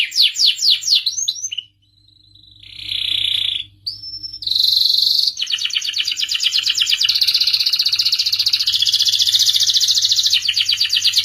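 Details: Excited canary song aimed at stimulating males to mate and sing: fast slurred notes, a brief pause, a buzzy note, a clear rising whistle, then a long uninterrupted rattling trill.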